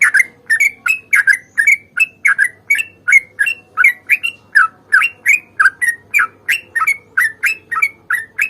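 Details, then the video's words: Yellow-vented bulbul in a lively long-phrase fighting song used as a lure to get kept bulbuls singing; steady stream of short, bright chirping notes swooping around a mid-high pitch, roughly one or two every second, quiet background. "trucukan GACOR tarung ropel panjang ini AMPUH bikin trucuk gacor bunyi NYAUT"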